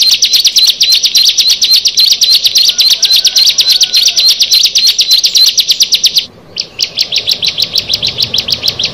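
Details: Rapid, steady trill from a bar-winged prinia, one of a group of six, made of high clipped notes at about four per second, breaking off briefly near six seconds before resuming just as fast.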